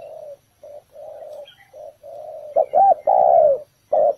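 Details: Spotted dove calling as a trap decoy: soft, muffled coos at first, then a loud clipped note and a long drawn coo, followed by another sharp coo.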